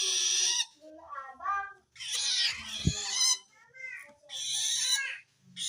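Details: Long-tailed shrike calling out to wild shrikes; the call shows it feels threatened by another shrike. Loud grating screeches alternate with thin, warbled, squeaky notes, with a single sharp knock near the middle.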